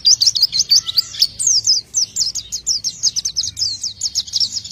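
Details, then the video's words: Oriental white-eye (pleci) singing a lively isian song: a rapid, high-pitched stream of thin twittering chirps and short sweeping whistles, running almost twice per second with uneven spacing. Faint low hum underneath. "isian burung pleci gacor"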